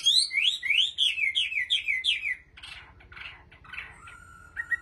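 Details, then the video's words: A Chinese hwamei in Bình Định, Vietnam, sings a lure or training song: a rich run of rapid, slurred whistles swooping up and down, then softer scratchy notes and a brief level whistle. "Họa Mi giọng hót cực hay và chuẩn"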